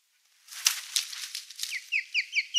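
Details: An osprey at a nest in Finland where a goshawk attacked the chicks gives a quick run of five high, whistled cheeps, about five a second, after a burst of rustling and wing-flapping; parents gave warning calls while attacking the goshawk.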